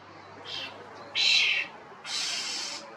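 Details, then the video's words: Common starling, Sturnus vulgaris, giving loud calls: three harsh, broad noisy bursts, the last about a second long, over a faint steady low hum. "Common Starling calls are loud, (Sturnus vulgaris), European Starling sound Effect"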